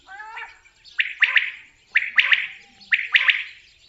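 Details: After a soft harmonic tone, a common quail delivers its clipped three-syllable call, a lone note then two rapid ones, repeated roughly every second, loud and clear.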